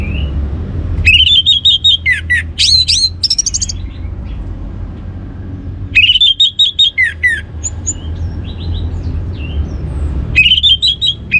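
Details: Orange-headed thrush giving a teasing song to set other birds singing, delivered in three separate bursts a few seconds apart, each a fast tumble of whistled slurs, chips and buzzy notes, with low hum between.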